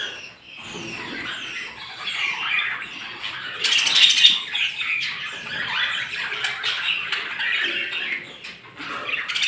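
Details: Small birds chirping in the morning: a steady, dense chatter of high twittering notes with a brief burst of wing flapping near the middle.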